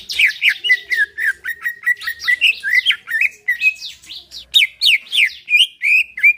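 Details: Greater green leafbird in a cage, its lively song used to make another caged bird sing; rapid, varied whistles and chirpy slurred notes tumble on continuously, some rising, some falling.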